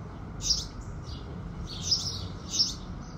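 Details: At sunrise, house sparrows give three prominent bright chirps with softer chatter between them, set over a low, even background rumble.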